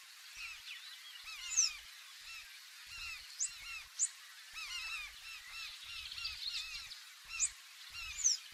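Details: Large-billed tern calls recorded from inside a canoe rocking on the waves: many overlapping harsh, arched and downslurred notes from a crowd of birds, with occasional sharp clicks and low thumps from the boat.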